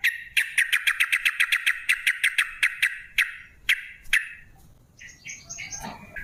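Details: Straw-headed bulbul giving a rapid 'ropel' series meant to lure other bulbuls into song: a fast run of sharp repeated whistled notes that slows and spaces out, then a softer warbling phrase at the end.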